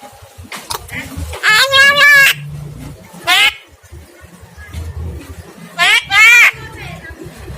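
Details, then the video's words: Javan myna singing eagerly: several separate strained, quavering nasal notes, some rising and falling, spaced irregularly with short clicks and sharp chips between them over quiet low background hum. "burung jalak kebo gacor bido kelik"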